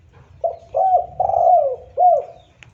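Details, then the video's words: Spotted dove cooing with no other sounds, a lure and tutor recording. A soft introductory note leads into a run of three or four low, rounded, slightly falling coos, the longest one drawn out in the middle. "Suara burung tekukur"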